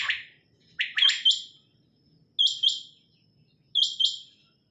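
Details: Female quail calling: sharp, high chirped notes given in quick pairs or triplets, each burst repeated about every one and a half seconds over a quiet background.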